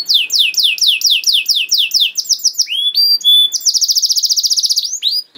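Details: Rapid canary song for training young birds, a master with long, varied phrasing: quick repeated downward slurs, a pair of pure steady whistles, then a dense, fast-pulsed trill.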